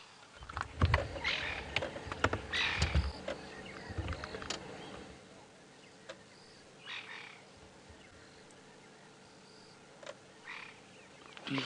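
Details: Francolins give harsh, grating alarm calls in clustered bursts off to the left, with fainter calls later, during a sunrise game drive at 5:30 AM on 28 March 2017 in a South African reserve; a vehicle hums low beneath them.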